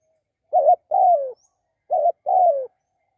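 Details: ['Spotted dove coos twice. Each phrase pairs a short quavering note with a longer coo that drops in pitch, and the two phrases are about a second and a half apart in silence.']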